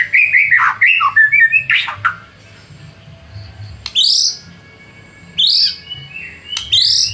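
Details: White-rumped shama (murai batu) song used as a lure to rile rivals into singing: rich whistled phrases at first, then sharp bursts of high, rising notes separated by quiet gaps of one to two seconds.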